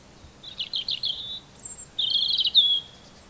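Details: Robin song: a few wavering warbled notes, a brief very high squeak, then a longer rippling, jangling high phrase.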